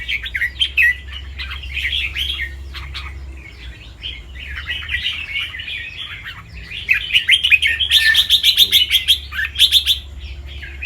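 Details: Practice song of a captive competition-line red-whiskered bulbul, a fancy all-white albino with red eyes, in Chonburi, Thailand. Quick, uneven warbling chatter, building into a louder, rapid run of bright repeated notes near the end. A faint low hum runs underneath.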